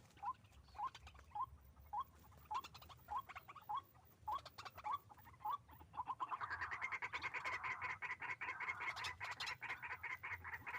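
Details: White-breasted waterhen during trapping with a hanging snare: a steady series of short upward notes spaced about half a second apart, giving way after six seconds to a dense, loud, harsh croaking chorus.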